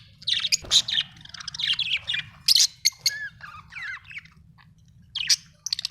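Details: Budgie chattering with high chirps, buzzy notes and a few sliding whistles in quick irregular bursts, some sharp clicks between them, over a constant low hum.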